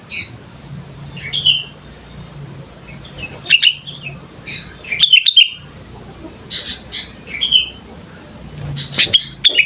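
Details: Sooty-headed bulbul song used as a training lure: short bright chirps and warbled notes in scattered bursts, with quiet gaps between phrases and a low hum beneath.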